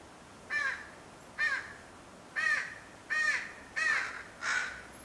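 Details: Fledgling crow crying to its father, probably for food: six hoarse, arched caws spaced under a second apart, the later ones longer and raspier, against faint background hiss.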